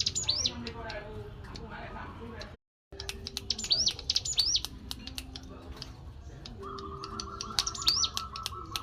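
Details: Lure call of a hill prinia, the cetrekan chatter: high upslurred chirps in short bursts with many dry clicks, a brief silent gap, and steady low tonal hums running through the background.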